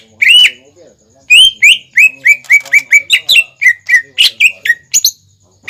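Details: Greater green leafbird in lively song, used as a lure for juvenile birds to copy: one long whistle, a pause, then a quick regular sequence of short falling whistled chirps with occasional higher squeaks.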